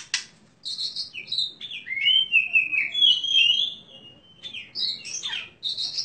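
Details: Oriental magpie-robin kept as a champion contest songbird with crystal-clear vocals and sharp, rich fill-ins. Quick high chips open into a long, slurred, warbling whistle that wavers up and down, then turns to scattered sharp notes.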